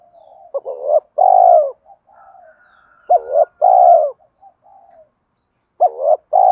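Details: Spotted dove fighting coo meant to lure wild doves when trapping: three phrases, each a quick doubled note followed by a long rolling coo, with soft murmuring notes in between.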